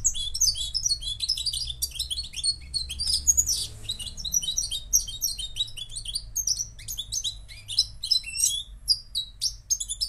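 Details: Sustained song from a Moroccan European goldfinch, a long run of high, rapid chirps, trills and buzzy notes delivered nonstop, with a faint low hum throughout.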